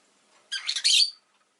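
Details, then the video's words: A single harsh, buzzy squawk from a rosy-faced lovebird, rough and broken into two or three pulses, lasting under a second. "Lovebird Chirping Sounds"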